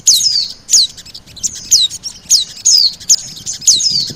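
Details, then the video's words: Lure sound for Oriental white-eye: a steady series of high, thin, downslurred whistles, roughly one per second, some followed by a short trailing note. "SUARA PIKAT BURUNG PLECI DAN SOGON"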